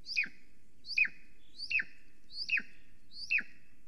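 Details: Female Golden Eagle calling as she flies around her nest, Estonia, 13 July 2020, 9:53 am, live nest camera. Five sharp, high whistled notes falling quickly in pitch come at a steady pace of about one every 0.8 seconds.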